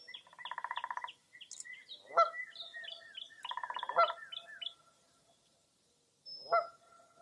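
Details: Wild birds on a foggy early April morning in Mirror Lake State Park, Baraboo, Wisconsin: two bursts of buzzy pulsed trill, each followed by a sharp honk, with quick high downslurred notes woven through and a pause before a final honk.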